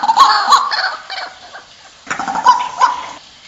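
White-breasted waterhen giving harsh, croaking notes in two quick bursts, each a rapid run of nasal, rasping calls with a brief pause between.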